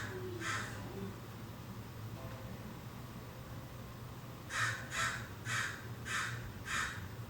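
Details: American crows, numerous and unafraid of people, calling in a California backyard, recorded from indoors; one early harsh caw, a pause, then a rapid run of five loud raspy caws, over a steady low hum.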